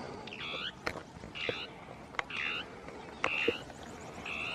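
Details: Dusky tapaculo (Scytalopus fuscus), two birds interacting in scrub with territorial song; short harmonic churring notes repeat about once a second, mixed with sharp clicks and background rustle.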